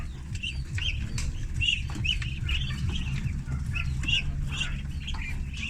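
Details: Flock of thirty ducklings kept on a farm, feeding; a busy stream of short high chirps, about two per second, overlapping, with a constant deep background hum.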